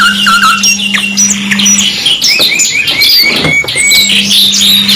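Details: Canary singing compiled for bird training: fast overlapping high chirps and trills, with several clear rising whistles midway, continuous and lively, over a steady low hum.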